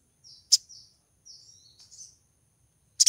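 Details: Calling female crimson sunbird, in breeding condition and luring a male: a sharp high chip among soft, thin, high twittering notes, then a loud double chip at the end.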